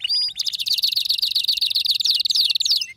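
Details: Excited male canary: a short whistle, then a loud, dense, continuous high trill that rolls on without a break for over two seconds.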